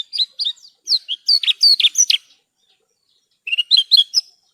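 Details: Branjangan, or Horsfield's bush lark, singing in a cage-bird training recording: varied, quick chirps and slurred whistles in tumbling phrases, a second of silence, then another short burst of chirps.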